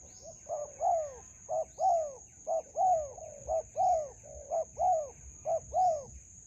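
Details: Spotted dove cooing as a decoy is used to trap birds in a melaleuca grove, with a wild bird encountered: soft, rounded coos alternating short and drawn-out, about one pair per second, steady high whine continuous behind.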